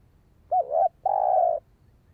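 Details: Spotted dove, recorded for stimulating a decoy bird, gives a short wavering coo and then a long, steady, soft hollow coo in quiet surroundings.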